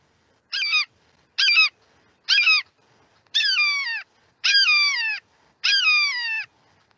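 Red-shouldered Hawk giving seven loud, ringing, downslurred screams about a second apart, the first three clipped, the rest drawn out into falling kee-aah notes.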